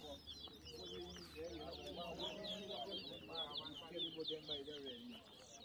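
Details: Caged towa towa (large-billed seed-finch) birds whistling in a competition at New Amsterdam, Berbice, Guyana, 2023: quick, sharp, slurred whistles repeated without pause in the upper range, over steady crowd chatter and men's voices.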